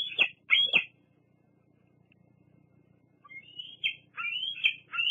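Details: Bald eagle youngster squeeing at the Fraser Point nest: three sharp high squeaks, a pause, then a thin rising whine that leads into stretched, wavering squeals.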